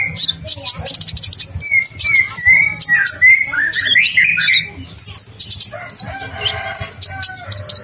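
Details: Sunbird singing, a lively bird used for training other birds: sharp high chirps mixed with clear sliding whistles and trilled runs, busy and continuous, over a steady low background music bed.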